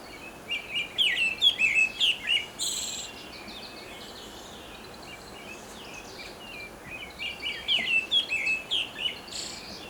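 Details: In Korea, a Pale Thrush sings two bursts of bright, warbled, chattering phrases, about two seconds each, separated by a long pause, over a steady background hiss.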